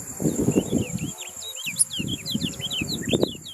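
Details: Yellow-rumped munia recorded as a model song for contest birds: lively run of curved, whistled chirps and short slurs, steady and dense, over low muffled background sounds and a constant high insect-like tone.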